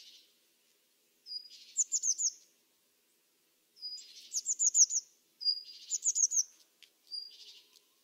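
Eurasian blue tit giving four high, thin phrases, each a drawn-out introductory note running into a quick, slightly buzzy trill of about five notes; otherwise quiet.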